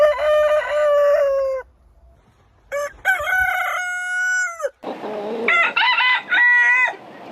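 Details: Rooster crowing in the morning: a long, steady, harmonic crow lasting about one and a half seconds, a short silence, then two more drawn-out crows with choppy, stuttering starts, separated by abrupt cuts.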